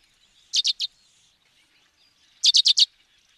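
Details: African sparrow calling: a burst of three bright, clipped chirps, a pause of about two seconds, then four more in quick succession, with quiet chatter between.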